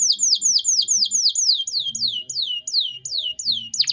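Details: Canary in full song, a tutor recording in cengkok mewah style meant for young birds to copy: a run of sharp downward-sweeping whistles, about three per second, ending in a brief squeal. A faint low hum runs beneath.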